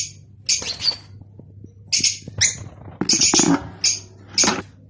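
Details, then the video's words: Rosy-faced and Fischer's lovebirds calling to prompt breeding: bursts of harsh, shrill chirping and rasping squawks separated by short gaps, over a low steady hum. "أقوي صوت لتزاوج طيور الروز والفيشر"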